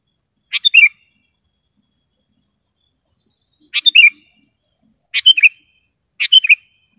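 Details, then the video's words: Sooty-headed bulbul singing clearly and sharply, a recording used to tutor caged birds and attract wild ones: four short gurgling phrases of three notes each, the first pair far apart, the last two closer together. "SUARA BURUNG KUTILANG GACOR TAJAM DAN JERNIH"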